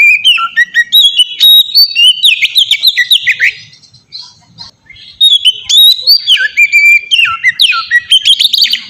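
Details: White-rumped shama, song used as a lure so other shamas start singing: dense bursts of melodious whistles, slurs and clicks, pausing briefly midway before resuming just as rapidly.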